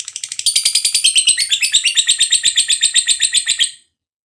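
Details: Lovebird delivering long ngekek chatter, the drawn-out song favoured by keepers, meant to stimulate other lovebirds; a fast continuous trill of rasping notes lasting nearly four seconds, then silence.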